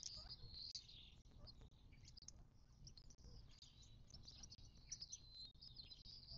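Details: Dense high-pitched chirping from desert birds at a western Mojave Desert watering hole near Joshua Tree National Park, southern California, recorded 19 March 2024. The twittering runs almost without pause above a quiet low hum.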